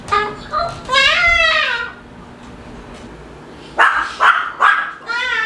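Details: Pet male Moluccan cockatoo making noises at home: a long, harmonic, wavering wail, then after a pause three quick, harsh squawks and a rising call.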